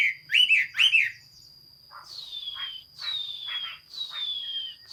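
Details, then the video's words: Chinese hwamei, 15 June 2021, giving two looping whistled notes followed by three long, sweet whistles that slide downward, each lasting about a second, against a steady high whine. "Chim hoa mi hot xuy. Singsong bird very beautiful"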